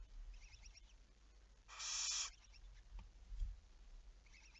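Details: Barn owl at night, 11 May 2019, 23:34: a single rasping, breathy screech lasting about 0.6 seconds, with soft clicking ticks before and after it against a quiet background.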